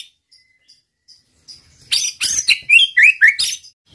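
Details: White-rumped shama song used as a lure to provoke rival males into singing: faint scattered chips, then loud rich phrases of harsh buzzy notes, downslurred whistles and sharp accents, about four elements per second.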